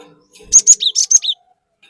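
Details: Gelatik batu, the cinereous tit, singing in lively 'gacor' style as a lure for other birds: one quick run of six high, piercing whistled notes with downward-slurred endings, then silence.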